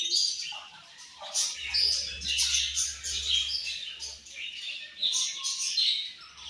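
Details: Budgies chirping continuously, a lively wash of high scratchy twitters with occasional clear, piping single notes standing out above the chatter.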